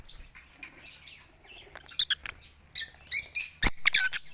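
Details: Lovebirds kept in a garden aviary with a pond, waiting for corn at lunchtime; busy chatter of sharp, high squeaky chirps building toward the end, with a thump and some flutter.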